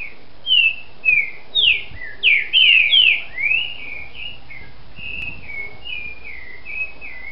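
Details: Manhoso song of a captive-bred green-winged saltator in Brazil: rich slurred whistles rising and falling in a rapid sequence of about eight loud notes, trailing into quieter, evenly spaced softer whistles.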